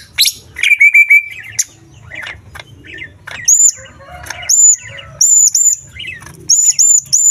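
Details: Green leafbird song packed with small-bird mimicry, played to rouse other leafbirds: a sustained level whistle and trilled runs early, then repeated bright high hooked whistles in doubled bursts, over soft twitter and low hum.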